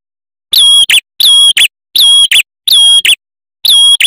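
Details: A male red-headed prenjak (prinia), a recording used as a lure and master song for trapping and training prinias, repeats loud, high, ringing phrases about every 0.7 seconds. Each phrase is a longer metallic note followed by a short clipped one.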